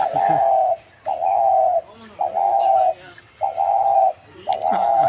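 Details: Spotted dove, a caged bird captured three days earlier, repeats soft, hollow coos, each under a second long, about one per second; faint human voices murmur in the background.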